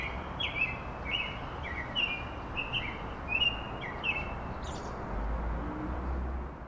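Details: American robin singing in spring in a city tree in Chicago, amid traffic; a rapid string of about eight clear whistled notes, alternating higher and lower, then a brief higher squeak, with a low rumble of vehicles growing toward the end.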